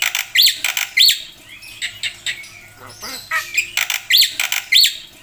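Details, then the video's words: A black-winged myna sings energetically with a filler-rich song of rasping squawks and bright whistled upslurs in irregular clusters, set against a noisy, hissy background. "jalak putih gacor full isian"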